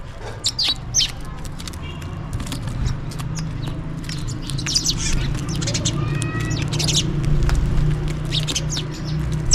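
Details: Several house sparrows chirping and calling for food while feeding, in quick, irregular bursts of bright, short notes, over a steady low rumble of background noise.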